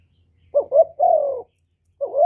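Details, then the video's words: Cooing spotted dove used as a lure bird, calling nonstop to draw other doves: two quick rising notes and a drawn-out descending coo, then the next phrase begins, over a faint low hum. "CU GÁY LIÊN TỤC KÍCH BỔI RẤT HIỆU QUẢ"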